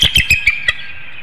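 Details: Bald eagle incubating at a webcam nest in Hanover, Pennsylvania, early morning of 25 March 2019, vocalizing so its mate will take over the eggs: five quick, thin, squeaky notes, then a fading high hum.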